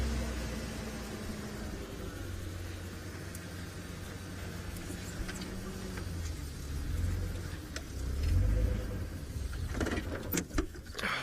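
A vehicle engine rumbles and idles low throughout, with some clunks and knocks near the end and no animal calls.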